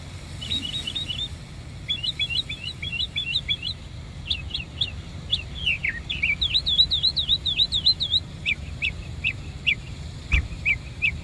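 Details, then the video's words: Bird song in Savannah: high chirped notes in quick clusters, then rising and falling slurred whistles and a run of V-shaped notes, followed by spaced single chips, over a low steady rumble. "bird song in Savannah"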